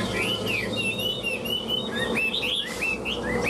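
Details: A Chinese hwamei kept as a cage bird pours out continuous song during a tail-spreading, wing-flicking display, with bright slurred whistles rising and falling in quick, looping phrases over a steady low room hum.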